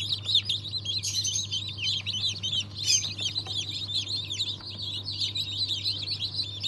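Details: Freshly hatched chickens, a mix of Cream Legbar, Australorp and Ayam Cemani chicks from a 7 February 2023 hatch, cheeping in a crowded flurry of shrill, short, downslurred notes over a constant low electrical hum.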